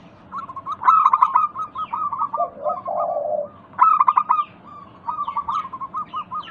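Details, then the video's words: Zebra dove lure, local bird, used to trigger answering song: loud rapid bursts of clipped coos, strings of softer even notes, and one long low rolling coo in the middle. "Pancingan Ampuh burung perkutut lokal bikin nyaut kutut sekampung Untuk Atasi macet bunyi"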